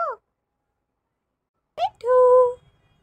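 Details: Rose-ringed (Indian ringneck) parakeet, a pet talking parrot, mimicking human speech: a clipped syllable, a pause, then a quick rising note into one drawn-out, steady vowel.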